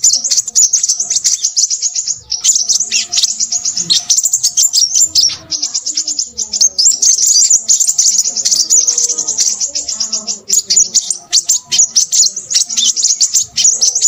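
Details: Crimson sunbird singing noisily: a dense, unbroken stream of very high, sharp twittering notes in quick bursts for fourteen seconds, with brief pauses near two and eleven seconds and faint low murmurs beneath.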